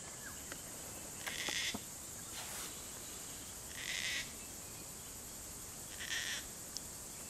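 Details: Gang-gang cockatoo, a single bird filmed in the morning while snacking on spitfire sawfly grubs, giving three short rasping, creaky bursts spaced about two seconds apart over a steady high background hiss.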